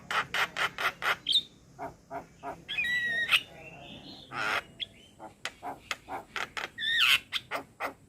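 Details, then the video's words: Adult male Javan myna full song for tutoring a young bird: evenly spaced loud clicks, a long harsh grating phrase with a level whistle, then more clicks and a twisting squeal. "Masteran Burung Jalak Muda Dengan Suara Jalak kebo Jantan Full isian"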